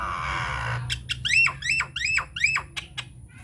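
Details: Loud harsh squawks from a Nias hill myna in an unedited lure song to set silent mynas singing, five or six strident downslurred notes in quick succession after a brief rasping noise.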